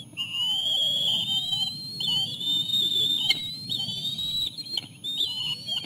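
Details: Osprey at the nest while chicks are fed a small fish by the adults; near-continuous loud whistling in long slightly rising phrases, about four per second in places, over a low rumble.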